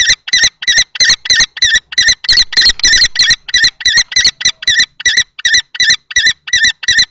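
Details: Common kestrel during a nest-box fight between an older adult male and a younger male, Théding, 20 March 2024; quick, regular string of grating kee-kee-kee notes, about three per second.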